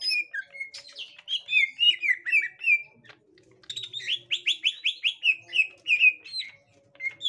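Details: Green leafbird of the gotri type encountering a young wild green leafbird: busy bursts of sharp, slurred chirps and whistles, a short silence, then another fast, rhythmic series of bright chirped notes.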